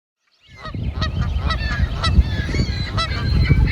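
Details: Canada goose honking: repeated nasal honks roughly every half second over a heavy low rumble of wind or handling noise.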